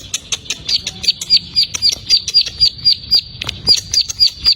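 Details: Plain prinia, a newly caught bird: a fast, regular run of thin, high, clicking notes, nearly four per second, sustained throughout.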